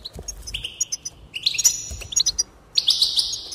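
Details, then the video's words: A goldfinch sings a bright, tinkling twitter of high notes and fast liquid trills, delivered in three quick bursts with brief pauses between. "encourage it to song"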